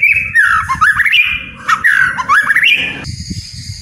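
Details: Captive white-rumped shama, song played to coax reluctant birds into singing: rich, twisting whistled phrases rising and falling in quick succession, then a thin high note, over low rumbling noise.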